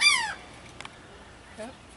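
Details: Laughing Gull on Mystic Island, Jersey Shore, NJ, gives one loud, nasal, downslurred note, its laugh, followed by a faint, lower rising note about a second and a half later, with a person's voice faint nearby.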